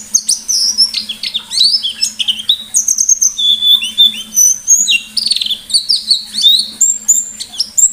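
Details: Energetic 'ngalas' style song of a white-eye with 'nembak' bursts, eight seconds of fast, varied, high twittering, with rising and falling whistled notes tumbling together and a low hum in the background.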